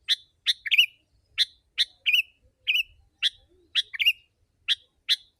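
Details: Sooty-headed bulbul giving lure song for wild birds: harsh buzzy chips mixed with short falling whistles, delivered in quick uneven bursts.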